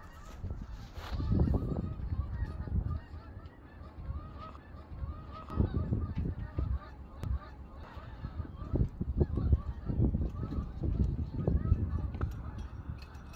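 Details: Migrating Canada geese flying in V and I formations give loud, nasal honks, overlapping and repeated every second or so, over a steady low rumble of wind.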